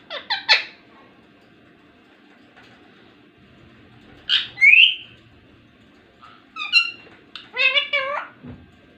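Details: Talking ringneck parrot produces scattered harmonic calls: a short stuttered trio at the start, a bright rising whistle midway, then clipped chatter and a wavering voice-like phrase near the end, separated by quiet pauses.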